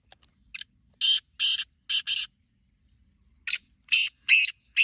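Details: Black francolin (kala teetar) giving harsh, grating, buzzy calls in two bursts, each a quick series of four or five rasping notes separated by short pauses, with a quiet background.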